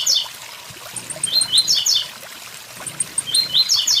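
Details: High, buzzy, stepped phrases from a blue-black grassquit, three heard in about four seconds, set against the steady wash of a waterfall.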